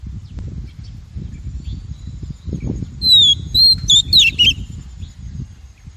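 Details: Oriental magpie-robin female call meant to rouse and train male birds and to trap them: after quiet low noise, a short run of whistled notes, falling slurs and a few scratchy chips.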